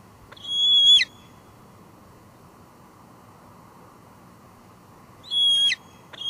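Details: Bald eagle female calling at her Two Harbors nest on a July 2022 evening, filmed by live cam; two separate high squealing notes with a falling tail, with about four seconds of quiet between them, then a short start of a third.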